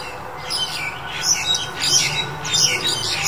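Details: Black-collared Starling, recorded February 2021: harsh, scratchy squawks in quick bursts, loudest around 1.3, 2 and 2.7 seconds, over a low steady hum.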